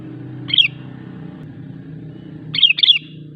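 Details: Sooty-headed bulbul singing persistently, a recording used to provoke other bulbuls into singing and draw wild ones closer. Two short bright phrases of quick, jumbled whistled notes about two seconds apart over a steady low rumble.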